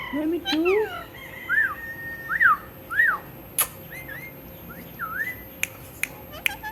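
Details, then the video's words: Pet talking parrot repeating "Mitthu" starts with low rising speech-like sounds, then a long flat whistle and several arched whistled notes, followed by softer slurs and sharp taps. "Talking Parrot Mitthu Mitthu"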